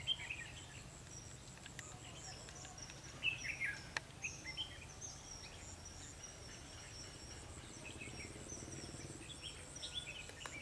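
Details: Fighting song of a red-whiskered bulbul drawn in by a lure bird during trapping on 21/12/2015. Several short, chattering whistled phrases are separated by pauses, along with a few clicks and a continuous high-pitched insect hum.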